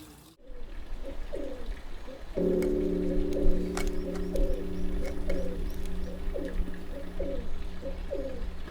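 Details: Endangered Hill Pigeons nesting under eaves of an old temple (Hwaeomsa), about ten birds; male courtship call heard before foraging: short, low, gurgling coos about every half second, over a steady musical drone.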